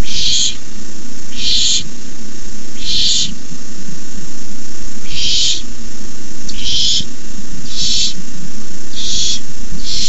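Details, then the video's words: Owlets of barn owl hissing at the nest during a night-time rabbit delivery by an adult, 9:57 pm; a series of eight rough, noisy hisses, roughly one every second or so, above heavy low-frequency background rumble. "Owlets hiss."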